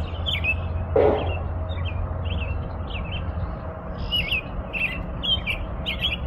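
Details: American robin singing a steady string of short warbled phrases, each rising and falling, delivered about twice per second over a constant low rumble, with a single dull thump near the start.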